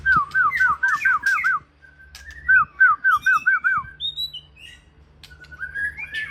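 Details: Evening song of a white-rumped shama from Aceh: a quick train of about six looping whistled notes, a brief pause, a second similar looping series, then softer scattered whistles and a rising phrase near the end.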